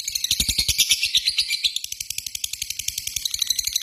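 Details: Caged lovebird lure sound in the 'ngetik' then long 'ngekek' style: a dense burst of loud, shrill, rapidly repeated notes that gradually thins to a steady stream of quick, scratchy ticks.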